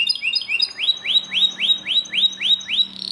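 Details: Belgian canary in loud song, repeating a bright rising whistled note about three times per second in an even series, over a faint low hum.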